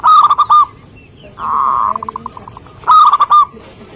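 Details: Actively singing local zebra dove (perkutut) from a bird-trapping setting: loud harsh cooing phrases that break into a quick stuttering run of short notes, then another loud phrase.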